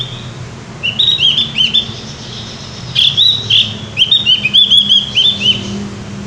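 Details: Javan grey-throated white-eye singing freely in a loud, open style: bursts of high, clear whistled notes that sweep up and down in short, quick phrases, separated by brief pauses, over a low background hum.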